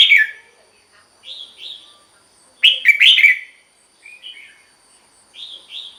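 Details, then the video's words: Red-whiskered bulbul song for rousing caged birds: softer paired whistled notes scattered across the clip, with one louder, rapid warbled phrase in the middle. "เสียงนกกรงหัวจุก สำหรับต่อ หรือ เปิดให้นกคึก เสียงเพราะๆ"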